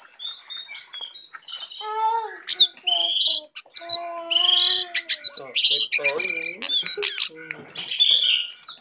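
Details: Brown prinia, tame and in full song with many fill-in phrases, delivers a dense, varied stream of high chirps, slurred whistles and buzzy notes, with lower harmonic tones woven through almost without pause.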